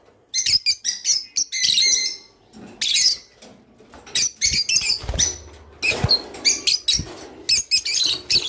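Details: Java sparrow song for stimulating mating: clusters of high, ticking chirps and bell-like notes mixed with faint fluttering and soft rustling thumps between phrases.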